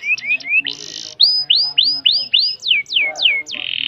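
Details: Canary singing with long breath: rising chirps, a buzzy burst, five swooping whistles, three sharp downslurs, then a buzzy trill.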